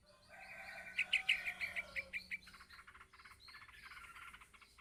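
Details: Chick of a yellow-vented bulbul calling for its parent: a rapid string of loud, high chirps over a soft tonal hum, fading into quieter, busy twittering.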